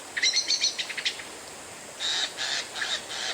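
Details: Oriental magpie-robin song used to provoke other birds into singing: a burst of sharp, high chirped notes repeated quickly, a pause, then a run of buzzy, scratchy phrases.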